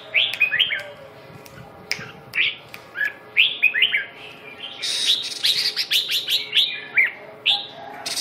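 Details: Vietnamese red-whiskered bulbul singing energetically, a dense string of rising and falling whistled notes with rapid chattering bursts in the second half, accompanied by occasional sharp ticks.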